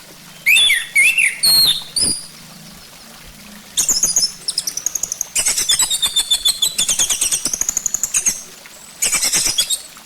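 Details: Orange-headed thrush singing, recorded as a lure to make the species sing: opens with a few loud slurred whistles, then long stretches of fast, dense chattering and buzzy warbling at high pitch, ending with another rapid burst.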